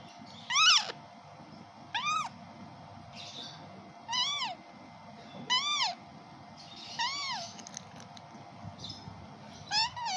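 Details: Kashmiri raw parrot chick on day 5 of hand feeding, giving repeated arched, rising-then-falling harmonic squawks about every one to two seconds, with softer rasping notes between and low background hum.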